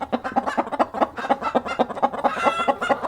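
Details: Hens and cockerel in a farmyard clucking rapidly, a dense stream of short, throaty pulses several per second, overlapping as if from several birds.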